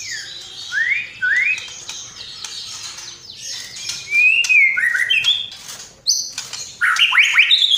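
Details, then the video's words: Murai batu (white-rumped shama) in lively masteran song filled with sparrow, lovebird and kapas tembak phrases: rising whistled swoops, a long wavering whistle, then loud high chattering phrases. "Masteran Murai Batu Gacor Isian Gereja Tarung Love bird Kapas Tembak"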